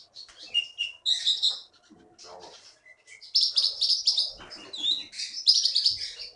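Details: Songbird taken from Bangka forest and now a winner at Bangka Belitung bird contests delivers loud high chattering bursts and whistled notes, broken by brief pauses and faint low sounds.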